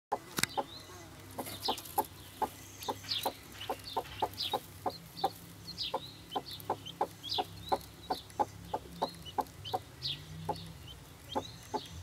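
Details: A newly hatched male helmeted guineafowl keet, being tickled under the chin beside its mother, gives sharp, short peeps, repeated steadily about two or three times a second.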